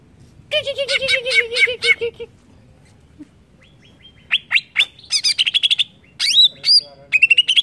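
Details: Greater green leafbird song used to rile other leafbirds: an opening buzzy rolling trill, a pause, then mixed sharp upward chirps, rapid chatters and a whistled rising phrase.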